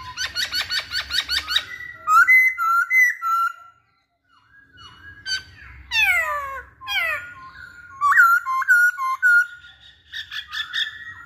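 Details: Masked laughingthrush, a caged bird used to provoke other birds into singing, gives rapid rattling series, loud slurred whistles and descending sweeping notes, with brief pauses between phrases.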